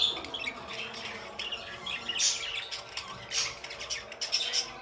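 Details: Budgerigars twitter with quick, high, scratchy chirps and occasional brighter whistled notes, rising and falling in irregular clusters over constant soft chatter.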